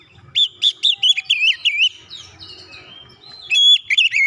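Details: Oriental magpie-robin song, used to provoke other birds into singing: a fast run of loud wavering whistled notes, a softer thin warbling stretch, then a pure whistle and more bright chirps.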